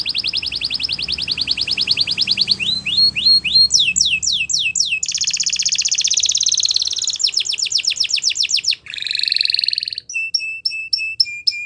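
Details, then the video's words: Belgian canary singing as a tutor for young canaries: a sequence of fast high trills, sweeping downward slurs and buzzy rolls, ending in short repeated whistled notes with a steady pitch. "Canary Teacher To Train Your Canary!! Belgian Canaries Sing Melodiously"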